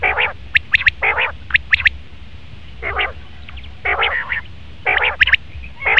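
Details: Sharp three-pip calls of a male common quail alternate with drawn-out rasping, nasal squawks from another caller, the two sounds trading places every second or so.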